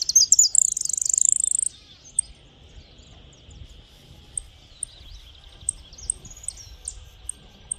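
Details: Saffron finch in the countryside: a loud, high, rapid burst of sharp chirping lasting under two seconds, then scattered thin high chips over a steady faint insect-like hiss.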